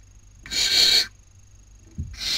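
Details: Barn owl owlets at a nest in Cabañeros National Park, Castilla-La Mancha, Spain, during the 2019 breeding season, one taking a sibling's dinner; a loud harsh rasping hiss about half a second long, a faint thump, then another hiss starting.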